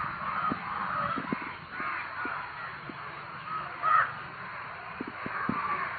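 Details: A crowd of crows calling loudly together, with overlapping harsh caws rising and falling throughout and one louder, sharper caw near the middle, over a steady background hum.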